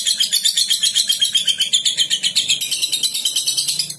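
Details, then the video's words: A lovebird in a long, unbroken ngekek: shrill, high chattering notes packed tightly together, pulsing about four times a second without a pause. "Lovebird NGEKEK | NGETIK Ngekek Panjang"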